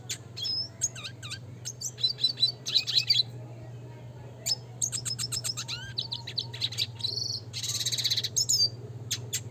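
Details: Classic red siskin singing in the rolling, shooting style, a fast tumbling twitter of high chirps, trills and buzzy notes running almost without pause, with brief whistled slurs and a low steady hum beneath.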